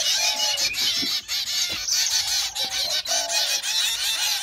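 Hungry zebra finch chicks beg in a dense, high, raspy chorus of overlapping calls.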